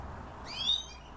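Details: Himalayan bulbul giving a single clear whistled note that slides upward and holds briefly before fading, heard over a quiet background hum.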